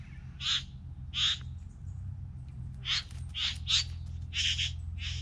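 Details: Among three bowerbirds, coarse hissing churrs come in pairs, then a tighter burst of five rasping notes, with a steady low hum underneath.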